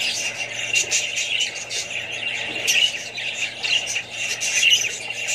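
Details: Australian budgies among more parrots and babies: busy warbling chatter with occasional sharp whistled notes rising above the steady chorus.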